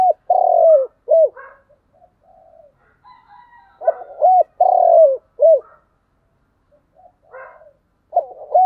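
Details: Spotted dove call in the urging 'thúc gù' style: a long coo flanked by short upturned notes, given in two bursts with softer quiet notes between, irregular in timing.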